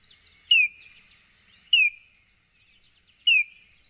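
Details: Baltimore oriole giving three loud, short, downslurred whistled notes spaced over one to one and a half seconds apart, with a steady thin high-pitched whine and faint chips behind.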